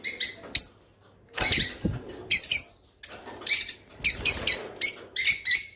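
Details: Song of a rice finch, offered to make pet birds breed: short, very high squeaky bursts about once a second, dry clicking chatter between them, faint low rustling in the background.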